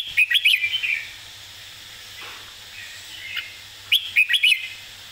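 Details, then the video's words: Red-whiskered bulbul giving an easy model song meant for training young birds: two bursts of quick, bubbly whistled notes about three seconds apart, each a rapid run of four or five chirps, with a soft lone note between. "สำนวนเพลงแม่บท ร้องง่ายๆ (ไว้เปิดสอนนก)"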